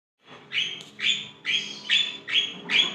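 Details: A Javan myna, recorded as a lure sound for other mynas, gives six harsh, grating, high-pitched notes in a steady series about every half second, with a faint hum behind.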